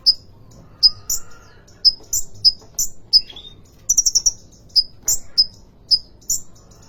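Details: Sunbird caged at the Depok bird market sings steadily: repeated very high sharp chirps and short whistled slurs, about one per half second, with a brief rapid trill midway and a faint lower whistle.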